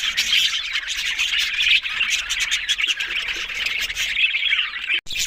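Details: Budgerigars, the small Australian parrot, in a busy chorus of overlapping raspy warbles and sharp chirps, steady throughout, with one sudden short break near the end.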